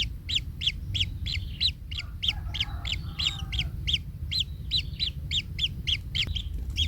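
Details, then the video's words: Nest-bound kingfisher chick, in pain after being stepped on by its parent, utters a rapid train of sharp arched chirps, about three per second. Faint lower murmurs come midway over a steady low rumble. "Anak Tengkek Terinjak Induknya Hingga Kesakitan - Baby Kingfisher bird nest"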